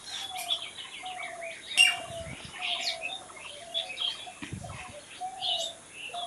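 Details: Natural raw birdsong: many birds twitter and chirp at once in a busy chorus, with a steady low piping note repeated at intervals underneath, plus occasional soft flutters or thumps.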